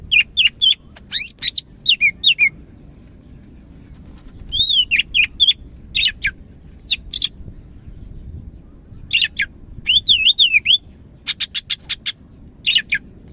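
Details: Medan greater green leafbird singing vigorously through a long varied medley of slurred whistles, wavering notes and chirps, with a fast series of clicking notes near the end.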